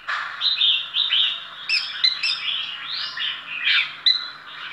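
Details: Oriental magpie-robin in a singing performance, said to be ordinary yet outstanding, delivers loud rich whistled phrases mixed with sharp high chips and a long arching slurred note, phrases following each other about twice a second.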